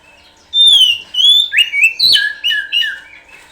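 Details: Kacer, the oriental magpie-robin, in pancingan lure song: after a brief hush comes a continuous, loud phrase of clear drawn-out whistles, then rapid slurred notes swinging up and down without pause.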